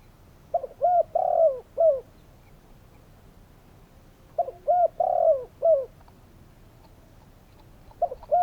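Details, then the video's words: Spotted dove repeating its low cooing phrase twice, roughly 3.5 seconds apart. Short coos lead into a long trembling coo that slides down, ending on a rounded note. A new phrase begins at the close. "Spotted doves calling!"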